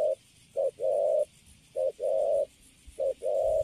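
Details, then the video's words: Spotted dove, a young bird taken from the wild and caged, delivering three coo phrases, each a short hoot leading into a longer smooth steady note, separated by brief pauses. "Thổ tơ Cấn Sấm, Bắt về cho vô lòng là đứng im ru. Nước Gù khá là Tốt."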